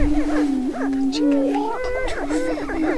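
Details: Greater prairie-chickens in their annual spring mating ritual on a lek, northwest Minnesota, April 27, 2013: a deep steady moan dips briefly, while clear whistled, slightly wavering notes and bouncing cackles rise above.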